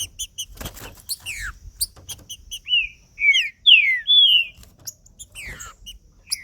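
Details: Green-winged saltator in male-style song meant to rouse another bird: bursts of quick chips and downslurred notes, then a run of rich whistled phrases rising and falling, with faint clicking in the background.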